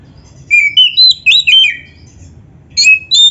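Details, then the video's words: Oriental magpie-robin song recorded for training other birds: loud, pure whistled phrases, a quick run of five varied slurred notes, a pause of under a second, then two more bright whistles. "MASTERAN KACER GACOR FULL ISIAN !! - Suara Burung Kacer yang cocok untuk Latihan"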